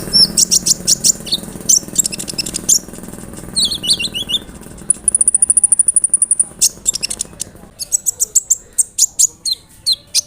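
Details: Sunbird (kolibri ninja) chattering song, used as therapy to prompt other sunbirds to reply or to restart silent birds: rapid high thin chirps and trills, a long steady high whistle midway, then more quick sharp notes over a faint low hum.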